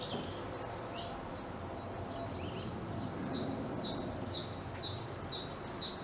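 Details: European robin perched at a treetop singing: a thin high flourish followed by a run of short, evenly spaced piping notes, about two per second, against constant low rushing background noise.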